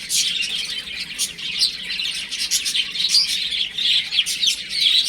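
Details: Chicks at home during play, many shrill peeps overlapping into a steady, bright chatter with brief louder notes scattered throughout.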